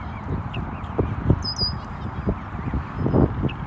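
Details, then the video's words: Adult geese being protective, letting out short, low, harsh honks in irregular bursts over a steady background hiss, with a faint high chirp of a small bird midway. "Adult geese being protective"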